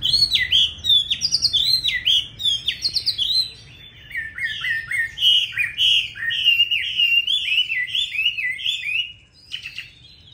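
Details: Chinese hwamei of the type called 'lá vả' in Vietnam, singing a loud, varied song of rich whistled phrases, quick repeated notes and rapid trills that rise and fall, with brief pauses between bursts.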